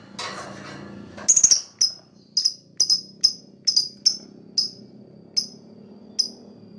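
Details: Lovebird, described as a fighter, giving chirps meant to attract other birds: a harsh burst, then short piercing high chirps repeated roughly every half second over a low background hum.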